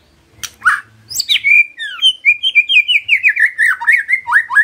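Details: Murai batu (white-rumped shama) singing energetically as a lure recording: a couple of sharp introductory notes, then a fast, even series of about fifteen downslurred whistled chirps delivered in a steady rolling trill.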